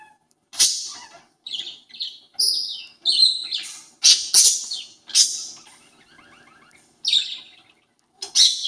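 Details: Parakeet mimicking a conure with loud, sharp squawks and chirps at irregular intervals, separated by short silences and soft chattering notes.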